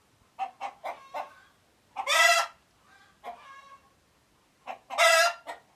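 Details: Chicken alert calls: fast clucks give way to a loud, rough squawk, then softer drawn clucks and another harsh squawk about three seconds later.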